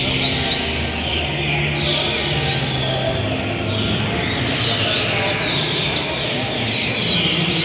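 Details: A double-collared seedeater (coleiro) in JPA, Rio de Janeiro, sings quick, high twittering phrases of sharp chirps, half-buried under a steady hiss and low murmuring voices.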